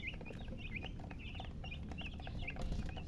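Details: Chicks peeping, with short high chirps rising and falling in loose clusters over a steady low hum.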